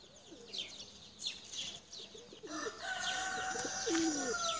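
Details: Tumbler pigeons, including blue çakmaklı birds, being flown; several short, low curved coos under high chirping, with a steady whistling hum and louder background noise in the second half.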